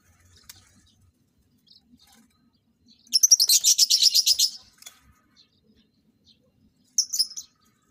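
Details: Lovebirds being paired for mating let out a loud, rapid, shrill chatter of quick repeated notes for about a second and a half, then a brief second burst after a pause.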